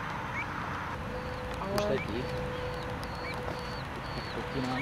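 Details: Pied avocet from a pair that bred and raised four chicks on a flooded field beside a motorway in Olomouc, Czech Republic, giving short, clear, high fluty notes about every half second over low hum and rough noise.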